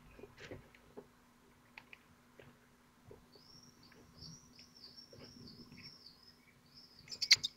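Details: Falcon chicks aged twelve days at the nest in Théding, France, in June, trying in turn to swallow a large prey whole: a run of thin, high, slurred wheezy notes repeated rapidly, with faint scratching and a sharp knock at the end.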